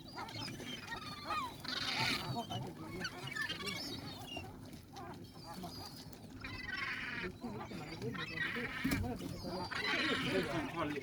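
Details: Seagulls by the sea: a dense flock chorus of overlapping harsh, wavering cries and squawks with no pause. Broad bursts of noise swell around two, seven and ten seconds against a steady low rumble.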